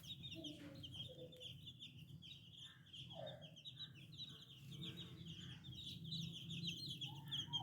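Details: New chicken chicks peeping rapidly, high chirps running steadily throughout, with a few lower, softer calls mixed in and a low hum behind.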